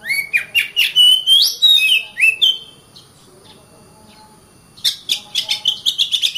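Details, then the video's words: Oriental magpie-robin singing loud, varied whistles with sweeping slurs and rising and falling notes, then almost two seconds of quiet, then a quick series of sharp repeated chirps. "Kacer Bird Singing"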